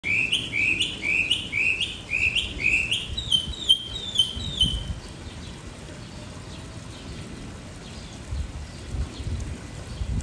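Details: Mockingbird singing melodies: a bright, hooked note repeated rapidly about six times, then a switch to a different repeated phrase, then falling silent; steady low rumbling background noise throughout.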